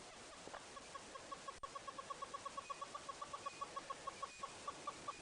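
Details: A hornbill perched about 8 metres away during a morning safari drive gives a long, even run of hollow clucking notes, about five per second at a steady mid pitch, over a soft background hiss.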